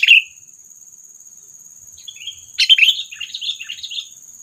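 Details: Sooty-headed bulbul call played as a trapping lure meant to provoke predators: one sharp chirp, a pause, then a busy burst of jumbled chirps and twittering notes over a constant thin high tone.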